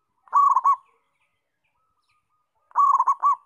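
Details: Local perkutut, the zebra dove, singing strongly: two bursts of quick warbling coos, each about half a second long, separated by near silence.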